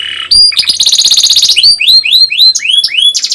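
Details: Training song for young canaries: a canary opens with a brief low buzz, then a fast high rattling trill, followed by a series of upward-slurred whistled notes repeated about four per second.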